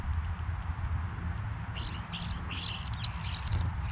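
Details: European starlings flocking to a backyard bird feeder, recorded with a GoPro: after a quiet start, a dense stretch of high, scratchy, squeaky chatter with clicking notes, above a low background rumble.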